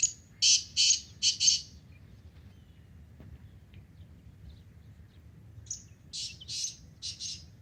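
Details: Morning call of a black francolin in forest: a rasping phrase of four quick, harsh notes, a pause of about four seconds, then a similar phrase repeated more faintly, over a quiet low rumble.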